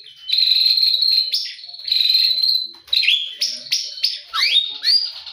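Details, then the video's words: Morning song of a white-rumped shama: long sustained high whistles followed by a string of short upward-sweeping notes and quick chips. "Murai berkicau di pagi hari"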